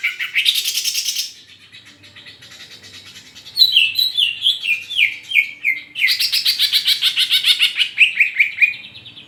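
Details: Greater green leafbird, kept as a songbird in Rangkasbitung, singing loud, clear whistled phrases: a buzzy opening, then runs of quick descending slurred notes and a long rapid rippling series sliding downward.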